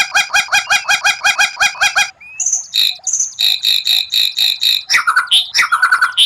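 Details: White-rumped shama singing rare 'tembakan' bursts, an odd song meant to impress rival birds: a fast train of harsh, harmonic notes about six per second, then high whistles and a steady run of sharp repeated chips ending in buzzy rising phrases.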